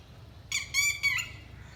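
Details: Mother bird calling loudly and constantly while watching over her young: two or three harsh, nasal squawks in quick succession, rich in overtones, against a quiet background.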